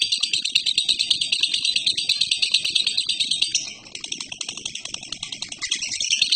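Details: Lovebird giving a long chattering call, a dense, continuous rattling trill of rapid harsh notes repeated about three times a second, dipping briefly near the middle before resuming loudly.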